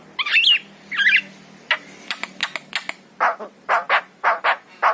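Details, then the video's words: Javan myna, yellow-eyed, singing to provoke pet mynas: two looping warbled whistles open the phrase, followed by sharp clicks and then a run of loud, rough, evenly spaced notes. "KICAU JALAK KEBO MATA KUNING"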